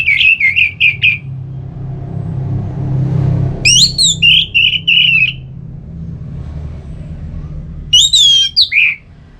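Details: Song of an orange-headed thrush, used to get another bird singing: fast rolling whistled notes, then a sweeping high whistle leading into another rapid run, and a final rising-falling whistle, over low background noise.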